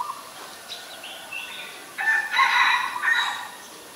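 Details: Ashy Woodswallow, Ubon Ratchathani, Thailand, 20 October 2021: a brief pulsed note opens, then a loud, harsh, grating chatter lasts over a second, with soft background chirps.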